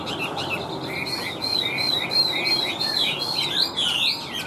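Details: Chinese hwamei in a cage, big bird with yellow bill and legs, tail-flicking as it sings a rapid chain of bright, bouncing whistled notes with rising and falling slurs.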